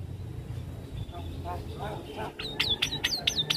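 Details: Javan myna song meant to make other mynas respond quickly: soft muffled notes over background rumble, then a string of loud high whistles, each dropping sharply in pitch, repeated roughly twice a second.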